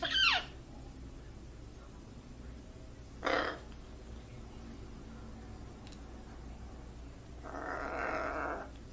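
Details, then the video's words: Trained pet blue-and-gold macaw, a talking bird that greets and acts like crying, gives three harsh, broadband squawks: a short one at the start, another a few seconds later, and a longer rasping call near the end, with quiet room background. "Funny macaw says "whats up" "hello" !!! and even act like crying"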